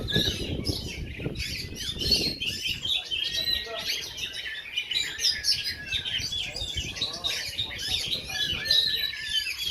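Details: Competition singing of Oriental magpie-robins at a weekly practice event in Takengon, Aceh: continuous rich warbling with sharp chirps and whistles from several birds, plus low thuds and voices from the crowd.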